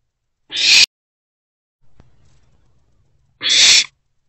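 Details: Owlet in its nest box around 3 am, 24 April 2024, consuming a large rodent, gives two rasping hisses about three seconds apart, with soft low rustling from the box in between.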